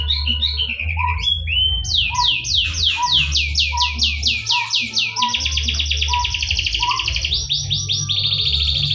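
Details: Canary song used to stimulate other canaries to sing: rapid trills of repeated rising notes and sustained buzzy rolls, with steady low hum and some music-like background.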